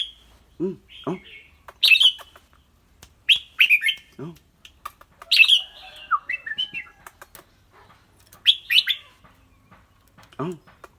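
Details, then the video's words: Red-whiskered bulbul, clear-voiced, alternating bright slurred whistled phrases with rapid dry chatter and ticks, while paired low, arched, harmonic calls sound at the start and near the end. "นกกรงหัวจุก เจ้าขวัญโชค เสียงใส ๆ ทั้งร้องทั้งริกๆสะใจๆครับ"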